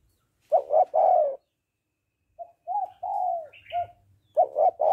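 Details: Female spotted dove calling to rouse a male: a throaty three-note coo, then softer smoother falling coos with a faint higher chirp, and another three-note coo at the end.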